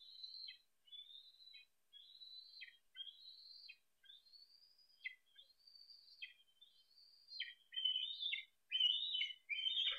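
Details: Bald eagle eaglet on a nest camera at Harrison Bay, 10 July 2015, squeeing as a parent arrives with a fish: a rapid run of thin, high whistled notes, each ending in a short downslur, growing louder and harsher toward the end.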